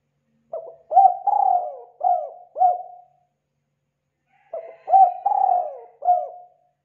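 Spotted dove giving two hollow, mellow cooing phrases of about five notes each, one note drawn out and sliding down, separated by a short pause.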